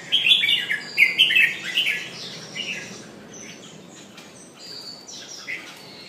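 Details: Jambul, a red-whiskered bulbul, pumping while it sings: a lively run of loud warbled and chirped notes packed into the first two seconds, then softer scattered high notes fading into quiet hiss.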